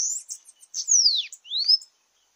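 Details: Bananaquit, locally sibite, heard at a campiada singing contest, giving a high wheezy phrase with a long descending slur, then a clear rising whistle and a pause.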